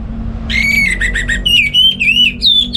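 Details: Kept orange-headed thrush (anis merah) singing in the morning as a tutor for other songbirds; a continuous run of clear, slurred whistles, some wavering and some rising, with low hum beneath.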